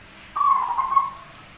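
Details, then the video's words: Zebra dove, rare, with an odd voice but singing often: a clean whistled note starting abruptly, held about three quarters of a second with a slight dip and flutter, then fading. "PERKUTUT SUARA ANEH TAPI GACOR"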